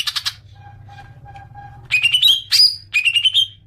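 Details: Greater green leafbird lure call meant to prompt long chattering: a short harsh burst, a quiet pause with faint low tones, then bright rising whistled trills repeated in quick bursts.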